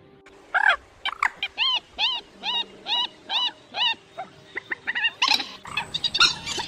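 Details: Rail calls used to lure migrating birds into nets at night in August 2024. A steady series of about nine evenly spaced arched, nasal notes, each under half a second, is followed by a dense burst of overlapping squawks.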